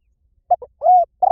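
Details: Spotted dove call used to lure birds: two short, low coos, then a longer, smooth, level coo and another held coo, all mellow and hollow against silence.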